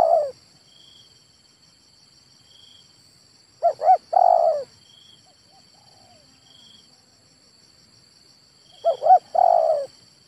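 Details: Spotted dove, a male, repeating a three-part phrase of two short coos and a drawn-out rolling coo about every five seconds, with quiet pauses and a thin steady high hum between.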